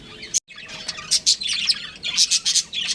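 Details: Pet budgerigars, a breeding pair, giving quick bright chirps in a busy twittering run, several sharp notes clustered after a short silent break near the start.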